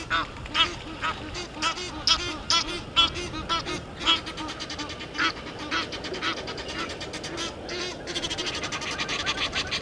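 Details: Disputing Egyptian geese and intruder geese at a waterhole in Sabi Sand, South Africa, 17:08, 10/04/21: irregular loud honks and quacking calls, later merging into a fast, softer, continuous chatter.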